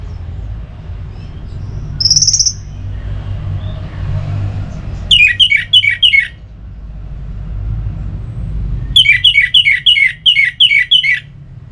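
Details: Orange-headed thrush song, used to rouse other birds into singing: two bursts of rapid, sharp, downslurred chirps, about eight notes each, after a single high buzzy note, over a steady low rumble.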